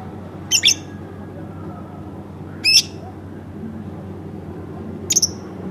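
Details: Home-kept lovebird giving three sharp scratchy calls a couple of seconds apart, the last a quick stuttered triple note, over faint room hum.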